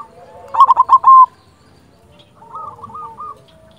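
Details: Local silver zebra dove, a lively singer played to spur silent doves: a loud, clipped rolling coo of about five pulses, then after a pause a softer short run of hooked notes.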